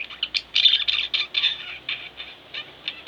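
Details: Pet budgerigar pair singing close by, loud high scratchy warble made of rapid short notes strung together with barely a pause.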